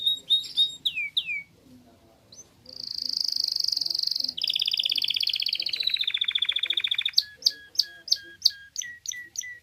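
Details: Timbrado canary song recorded at a Moroccan canary and goldfinch show: clear falling whistled notes, then a sustained high rolling trill and a lower buzzy roll, closing with a series of sharp, separated chip-like notes.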